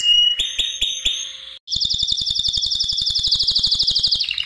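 A canary holds a steady high whistled note for over a second, then breaks into a fast, bright rolling trill of about fifteen notes per second.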